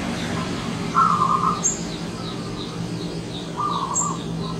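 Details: Wild zebra dove arriving as a visitor: two short, rolling trilled coo bursts, each under a second, with a soft thin high chirp from another bird between them.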